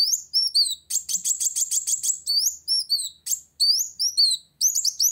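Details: A sunbird sings hard to challenge a rival: very high, curling whistled notes, a one-second burst of fast buzzy trill, then more looping up-and-down whistles in short, separated phrases.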